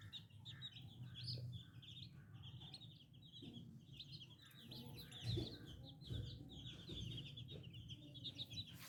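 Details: Young chicken chicks chirping in a busy, continuous chorus of short high peeps, over a low droning background and a brief thump.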